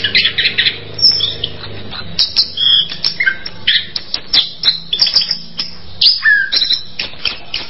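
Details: Orange-headed thrush in full song, a long, busy medley of chirps, squeaky whistles and scratchy twitters, with a steady low hum audible during the first seconds.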